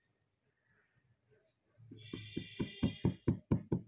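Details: Near silence gives way to a steady run of sharp knocks with a bright musical ring, about four per second, and no animal voice.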